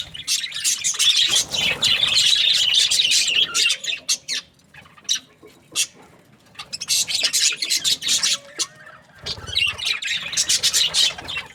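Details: Pet budgies in bursts of busy, harsh chirping and squawking, with several near-silent gaps between the bursts, then the rapid chatter picking up again toward the end.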